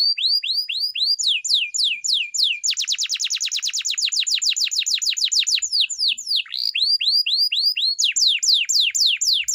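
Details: Training song of a canary: loud, bright falling whistles, then a long rapid tour of clipped repeated notes, then more looping descending whistles.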